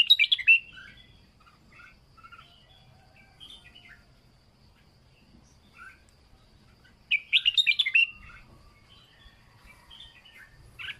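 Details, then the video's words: Training song of a red-whiskered bulbul, "plai loi" style: two loud rapid phrases of clear, slurred whistled notes about seven seconds apart, separated by soft scattered chirps from other birds. "นกปลายลอย เสียงฝึกร้องนกกรงหัวจุก"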